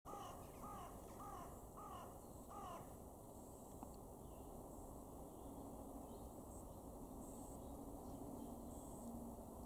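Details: Eurasian magpie in an April 2023 garden in Weener, East Frisia, northwest Germany: five harsh, rasping notes about half a second apart, then quiet over a steady low background rumble.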